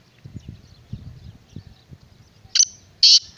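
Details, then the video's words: Low rumbling background noise gives way to sharp, rasping bursts of a black francolin (kala teetar) call, two to three harsh notes close together at the end. "Black Francolin kala Teetar"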